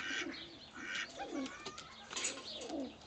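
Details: Paired pigeons at a rescue centre, one pure white, feeding each other before mating; soft low coos rise and fall between brief higher rustling and chirpy noises.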